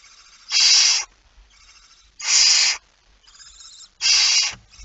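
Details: Barn owl at a nest during feeding, recorded 19 September 2019 at 05:28: three harsh, broadband hissing screeches, each about half a second long and spaced roughly every 1.7 seconds, with faint rustling between them.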